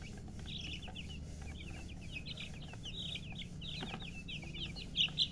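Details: Just-born chicken chicks chirp loudly. They make a dense, continuous run of shrill, quick downward peeps that overlap steadily, and two louder cheeps come near the end over a faint low hum.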